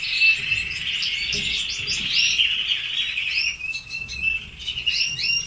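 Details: Red canaries singing a lively, high warble made of fast repeated trills and short upslurred whistles, dense and continuous, with only faint low rumble behind.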